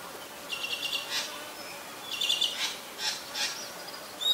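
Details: Common myna in Ubon Ratchathani, Thailand, on 20 March 2022: short high whistled notes and harsh broadband bursts in small clusters, separated by brief pauses, with a quiet background.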